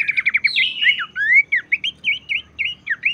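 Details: Abbott's babbler singing to encourage others to sing. A quick stuttering trill opens, then a run of bright whistled slurs spaced about every quarter second.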